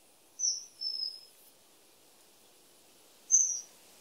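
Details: Common kingfisher, a bird of streams and rivers, giving three shrill, very high whistles: a short sharp note, a longer drawn-out whistle, then a final piercing note after a pause, over a faint steady background hiss.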